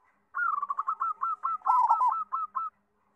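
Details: Loud-voiced local zebra dove singing, used as song tutor for young doves: a fast run of short cooing notes, each a quick rise and fall, about a dozen in under three seconds, one brief hiss mid-phrase.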